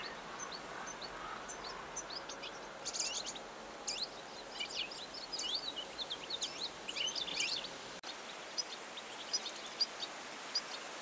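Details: European goldfinch, Belarus bird of the year 2018: thin, high, rapid twittering and tinkling notes in quick bursts, distant and soft over a steady background hiss, fading into sparse chips near the end.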